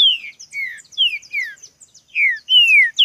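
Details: Green-winged saltator singing vigorously in a contest: rapid downward-sliding whistled notes, some short and some stretched out, with faint high twittering between them.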